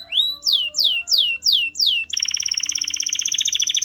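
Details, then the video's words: A canary sings six high, falling whistles about three per second, then switches to a fast, even, bubbling trill. "Your Canary WON'T STOP SINGING After Hearing This!"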